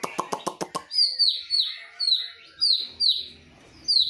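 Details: White-rumped shama duel between a bird from Medan and a wild bird from Nias. A burst of rapid clicks is followed by high, sharp downslurred whistles repeated about twice a second, with a softer warble beneath.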